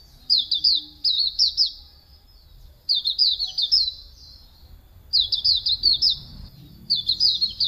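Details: Pleci auriventer, Hume's white-eye, in a master song for bird training: repeated phrases of rapid, high, slightly buzzy twittering, each lasting about a second and separated by short pauses, with faint background noise.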